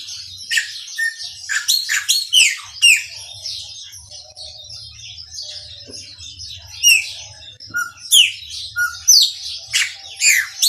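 A chopi blackbird sings a loud, varied run of clear whistles, sharp upward and downward sweeps and chattering notes in quick bursts, over a faint low hum.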